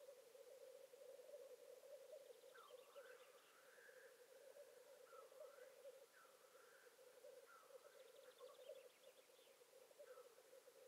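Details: Osprey at a nest in northern Satakunta, Finland, on the first morning visit of male Ossi, 19 April 2019, gives short whistled, slurred notes in loose bursts, with quick higher chirping series, over a steady low hum.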